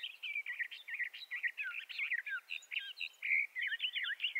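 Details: Bendire's thrasher song from western North America, a chattering, rapid sequence of short slurred and warbled notes in quick succession, slightly choppy, with a clearer whistled note near the end.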